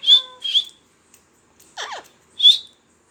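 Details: Talking parrot giving two sharp, high whistles, then a quick descending squawky call, then a final piercing whistle, in a quiet setting.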